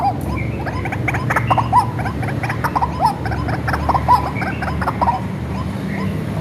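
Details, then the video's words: Hand-reared white-breasted waterhen, used as a lure, uttering a steady series of rasping croaks with short ringing notes, repeated about once a second against a low hum. "SUARA BURUNG RUAK-RUAK ASLI RAWATAN DARI KECIL"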